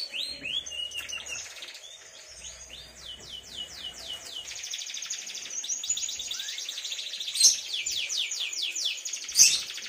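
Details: Three-month-old caged canary singing long rolling trills: quick high chirps at first, then sustained rapid buzzy rolls of repeated notes, with a couple of sharp clicks late on.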